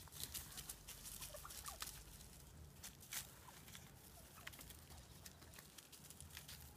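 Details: Roving wild turkeys in Mendocino County, California, feeding on scattered bird food while the dominant bird pecks the others, give soft, scattered clucks and short mid-pitched notes over a low steady rumble and faint rustling.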